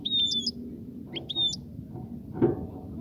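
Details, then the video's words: European goldfinch singing to stimulate the female to mate and nest; a few brief, high, thin twittering notes with sharp slurred whistles, then a pause, over a low background hum. "صوت لتحفيز انثى الحسون على التزاوج"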